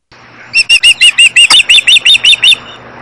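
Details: Osprey mother at a nest camera in Missoula, Montana, on June 22, 2011, with two chicks, sounding upset: about twelve sharp, high, slightly rising whistled notes repeated rapidly, roughly six per second, over a low steady hum.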